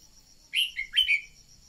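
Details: Red-whiskered bulbul song used as a decoy to stir other birds into singing: two quick bursts of bright, sliding whistled notes under a steady high-pitched whine.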